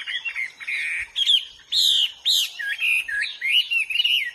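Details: A Hwamei sings in the wild, giving loud, clear whistles: drawn-out slurred notes, then a string of bouncing, dipping phrases, each separated by a short gap.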